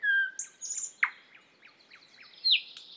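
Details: Thrush nightingale song: a loud pure whistle opening, then high drawn-out whistled notes and a run of rapid downward-sweeping clicks and chips, ending in bright sharp whistled phrases; no other sounds.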